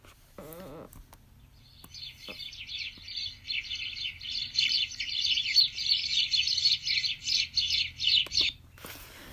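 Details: House sparrows at a backyard feeder and birdhouse in an urban neighbourhood chirp continuously without pausing: a rapid run of bright, dry chirps about three per second, likely several birds together.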